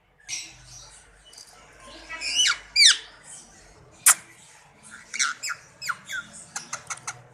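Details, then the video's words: Rose-ringed parakeet practising talking in Urdu/Hindi: scattered harsh squawks and sharp high chirps, some sliding up or down, bunched into quick bursts toward the end, against a quiet indoor background. "Ring Neck progress talking and growth in Urdu/Hindi."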